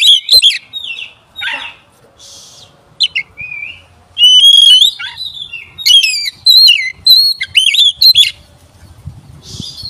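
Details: Oriental magpie-robin song meant as a lure to provoke other magpie-robins: scattered harsh notes and a short whistle, then a loud burst of varied looping whistled phrases, fading into quiet.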